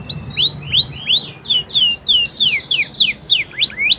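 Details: Canary singing in the standard cengkok style: a steady series of high, downward-sweeping whistled notes, about three each second, over a low background hum.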